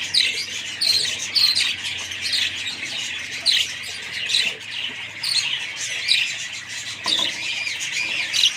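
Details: A group of budgerigars twitters loudly, with rapid high chirps and squawky warbles coming in bursts over a constant background of chatter.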